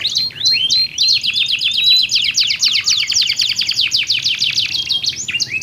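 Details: Pair of canaries answering each other in song to stimulate other canaries; opens with a few upswept chips, then a long dense rattling trill of fast downward strokes with a steady whistle running through it.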